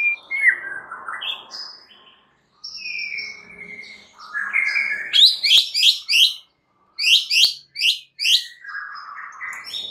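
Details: Champion white-rumped shama song used to goad other shamas into singing: varied whistles and slurred notes, then rapid chattering bursts repeated several times a second, separated by short silences.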